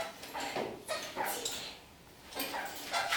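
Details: Kakariki walking upside down on a ceiling and singing: bright, fairly high, nasal chirps in small clusters, with a quieter gap midway before another burst of calls.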